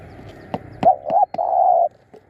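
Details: Decoy spotted dove set out to attract wild doves gives a clear cooing phrase of two short arched notes and a long sustained coo, punctuated by sharp clicks and taps.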